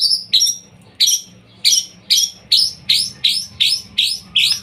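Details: Young white-rumped shama, used to provoke other birds into singing: a series of about ten sharp, bright chirped notes with high overtones, repeated roughly every half second.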